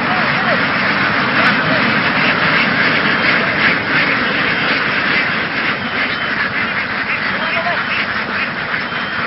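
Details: Laying ducks, a large flock driven across Vietnamese fields and loaded onto a boat for migration, create a steady wall of rapid, overlapping raspy quacks. A faint engine-like hum runs underneath.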